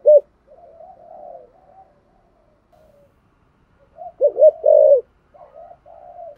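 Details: Spotted dove singing a thổ-style coo for luring wild doves: one sharp coo, faint trailing murmurs, silence, then a bright burst of three round coos ending in a longer held note, followed by quiet hooting.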